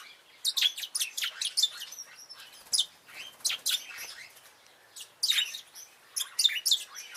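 Bourke's parrots chatter in bursts of high, scratchy chirps and twitters, several quick notes at a time with brief pauses between, all pitched high.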